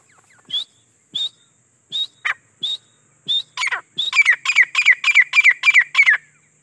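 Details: Grey francolin, known as teetar and said to be wild, opening with spaced, rising whistled notes that speed into a fast, ringing series of loud repeated phrases, about ten in two seconds, over a faint high hiss.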